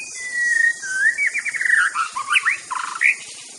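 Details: White-rumped shama, Aceh: a long drawn whistle slides into rapid trilled notes and a mix of rich, swooping phrases delivered without pause.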